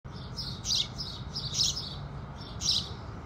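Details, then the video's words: House sparrows singing at sunrise in the morning: bright, clipped chirps rising and falling in loose bursts roughly once a second, with a soft low background rumble. "Sparrows Singing"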